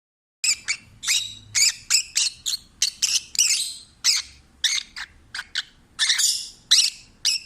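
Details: Peach-faced lovebird, a rescued stray pet, singing relaxed and happy: a fast run of sharp, high squeaky chirps and harsh squawks, about two notes a second, bursts of varying length with short gaps, quiet room behind.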